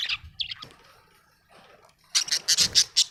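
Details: Happy budgie's high chirps: a few sharp notes, a quiet pause, then a quick burst of bright, evenly repeated chirps.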